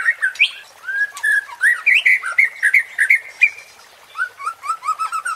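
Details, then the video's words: White-rumped shama (murai batu) song used as a provoking lure to stir a rival's fighting spirit: a varied run of clear whistled notes, rising and falling slurs strung together rapidly, with some higher sharp chips overhead. "MURAI BATU JADI TERPANCING EMOSI DENGAN SUARA PANCINGAN INI"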